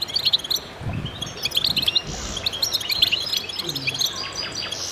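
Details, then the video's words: Many goldfinches singing in concert, used to stimulate other birds to sing: quick, jangling high chirps and twitters that overlap in bursts, with a faint low thump in the background. "voices a chorus of goldfinches in concert to stimulate birds"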